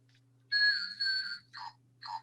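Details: Crested honeycreeper (Palmeria dolei), endemic to Hawaii and named akohekohe after its call, gives a long, buzzy, whistled note nearly a second long, then two short, lower, falling notes, with a low electrical hum underneath.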